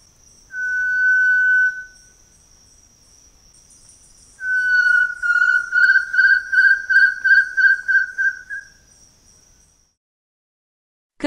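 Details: Variegated Tinamou song: one long level whistle, a pause, then another long note breaking into a series of about ten quick pulsed whistles, set against continuous high insect buzzing.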